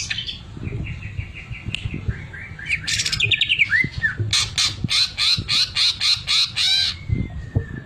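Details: A greater green leafbird sings with sewing-machine filler: a steady row of short whistled notes, looping slurred phrases, then loud evenly spaced buzzy pulses roughly three per second.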